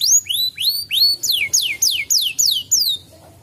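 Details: Canary song to stimulate a canary that will not sing: rising whistled notes followed by a run of bright down-slurred syllables, about four per second, ending abruptly.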